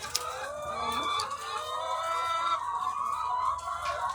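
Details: Egg-laying hens by the thousands on a farm, heard as a thick wall of overlapping clucking and sustained, wavering calls, with a sharp click near the start.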